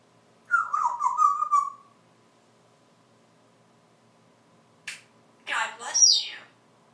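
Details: African grey parrot alone on a porch during a live session, active and climbing around perches, talking: a long wavering voiced tone with harmonics, a sharp click after a pause, then a breathy, noisy phrase.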